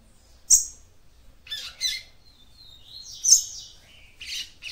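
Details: A female yellow-bellied seedeater's calls, meant to excite the male, come as sharp, thin, high chirps and short buzzy notes in an irregular series, with quiet gaps between.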